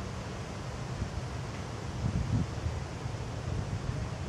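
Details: Constant low wind rumble and buffeting with a slight swell around the middle, and no calls from any animal.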